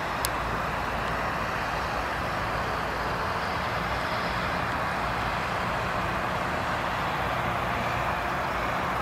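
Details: Continuous traffic roar from passing road vehicles, with one sharp click at the start and no animal voices.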